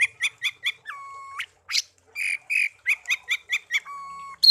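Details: Pet songbird taken from a garden and hand-raised from young, kept for one year and tame, singing: quick repeated chirps, then long flat whistles alternating with short trills, ending with a sudden loud note.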